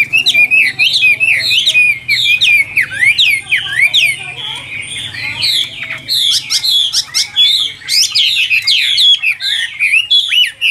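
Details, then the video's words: Chinese hwamei of the Tam Hoàng type, caged, pouring out a dense, rapid song of sweeping slurred whistles and sharp chips, nearly continuous for ten seconds, with faint low background hum. "Họa Mi Tam Hoàng Miệng Mỏ Như Máy Khâu, Điện Đóm Căng Hót Hét Bài Bản"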